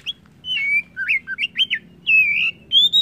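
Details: White-rumped shama giving a short run of fluid whistled phrases, looping up and down, ending in clear sustained high whistles, over a soft low hum.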